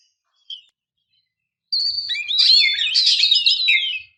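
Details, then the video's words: High whistled warbling from a female Oriental magpie-robin luring males to sing, one dense, rapidly modulated phrase about two seconds long after a single faint note. "kicau burung kacer memanggil - pancingan kacer agar bunyi"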